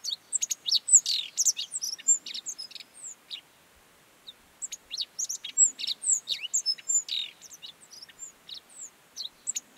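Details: Godlewski's bunting from the Mongolian Gobi: lively high-pitched phrases of rapid chips and slurred whistles, broken by a clear pause of about two seconds before the jumbled notes resume.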